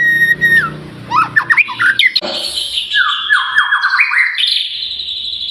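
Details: White-rumped shama singing loudly as a prompt for birds to sing: a mix of harsh squawky notes and scratchy phrases, then stepped, descending whistles ending in a sustained high tone.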